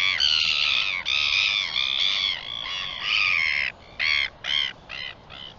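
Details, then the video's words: Northern royal albatross recorded on 4 September 2021; a long run of harsh, nasal, braying notes with slight downward bends, followed by short clipped bursts that grow more spaced out near the end. "Northern royal albatross"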